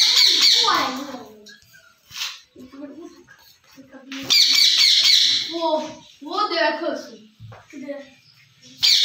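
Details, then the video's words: Pet green ringneck parrots talking while playing outside the cage: harsh, raspy squawks alternate with lower, voice-like babbling phrases in uneven bursts, some harsh notes repeated, separated by brief pauses. "RINGNECK PARROT SOUND | سبز طوطوں کی باتیں"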